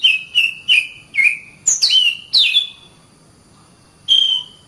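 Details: Oriental magpie-robin, caged, training song: a row of clear flat whistles, then sharp high notes swooping downward, a pause, and one long steady whistle.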